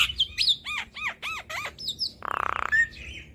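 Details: Lively Javan myna tutoring cage birds, giving arched, ringing notes about three per second, then a brief buzzy rattle and a thin whistle.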